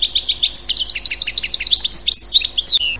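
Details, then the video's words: Goldfinch visiting garden feeders, bright tumbling twitter of fast high chirps and short slurred whistles, tightly packed and continuous, with a clear descending whistle near the end. "Goldfinch (Carduelis carduelis) Tweet"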